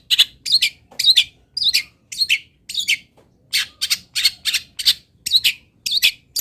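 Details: Local cendet (long-tailed shrike), Pati, Indonesia, in a master recording of its fill-in song. Rapid harsh scratchy notes, many paired, follow almost continuously at an uneven pace, with a few brief twisting squeaky inflections.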